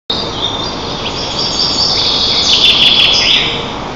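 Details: White-tailed eagles at their nest in Lower Kama National Park, Tatarstan, on 25 June 2024, parents feeding eaglets breakfast, picked up by a nest camera; high, thin, squealing calls run almost continuously over steady background hiss and a low hum.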